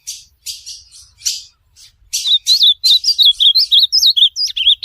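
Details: Ultramarine grosbeak (azulão) song for training a pet bird: opening buzzy, broadband chirps, then a fast run of clear, wavering whistled notes, about three per second, rising and falling, ending in lower slurred notes.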